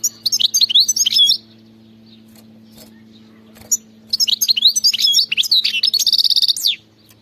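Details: Wild European goldfinch song: fast, jangling runs of high chirps and twitters, a pause, then a longer twittering phrase ending in a buzzy trill, with a faint low hum behind.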